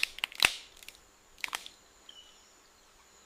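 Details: Sharp crunching and crinkling clicks in bursts, mostly high-pitched, with a faint steady high tone and no animal voice.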